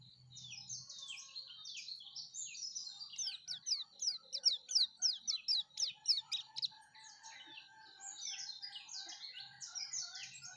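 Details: Lively song of a yellow-breasted white-eye, used to lure others of its kind: soft high twitters building to a quick run of sharp chirps in the middle, then looser warbling notes, over quiet background.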